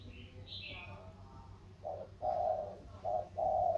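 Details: Vietnamese spotted doves singing 'thổ' style in a contest between a Sóc Trăng delta bird and a Cam Ranh mountain bird; faint high chirps come first, then four low, hollow coo notes in an uneven rhythm.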